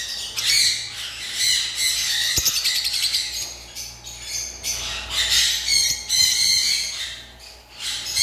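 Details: Flock of lovebirds at a farm chattering: dense, scratchy squeaks and shrill chirps in quick irregular bursts, many birds calling together, one sharp knock midway, steady hum underneath.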